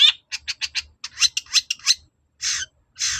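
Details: Long-tailed shrike singing persistently to provoke an answer: a rapid string of short, harsh chattering notes followed by two long, rough, hoarse rasps.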